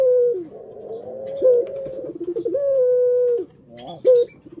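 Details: Captive collared dove: long smooth coo, a sharp accented note, a trembling roll, then a second extended level coo and a final short sharp note.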